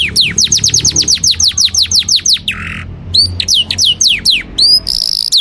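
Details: Kept canary from Indonesia singing with prinia-style mimicry: a fast series of high whistled notes, each sweeping steeply down, then a buzzy rasp and sharp upward-curling whistles.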